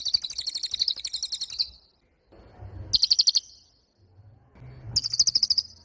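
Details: Cililin (pied fantail) song in prolific spells: three bursts of rapid, piercing ticking trills separated by pauses filled with faint low rustle.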